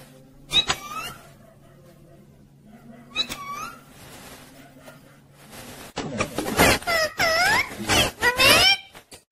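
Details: Talking pet parrot said to say "mummy papa"; scattered squeaky calls with curved harmonics, then a dense burst of rapid, harsh, chattering speech-like notes with sharp clicks toward the end.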